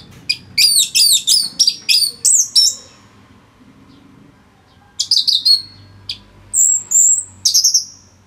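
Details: Orange-headed thrush in full, dense singing from Singaraja, North Bali, used to tutor other songbirds: rapid high whistled notes sliding and looping, a three-second burst, a pause, then sharper piercing phrases.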